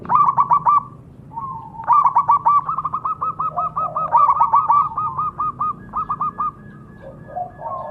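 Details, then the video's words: Zebra dove song: rapid, stuttering series of soft trilled coos, clustered notes repeated about four times a second in several long bursts, with a faint background hum. "Suara Alami Burung Perkutut"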